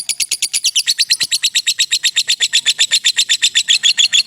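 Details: A lovebird in a long 'ngekek' trill for master training use: loud, rapid, high chattering notes about four per second, sustained and fairly even for over four seconds.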